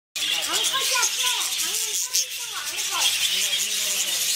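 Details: Budgerigar in the tropical bird house of Seoul Zoo, possibly mating, gives warbling chatter: quick, arched, chirping notes tumbling over one another without pause, over a steady high hiss.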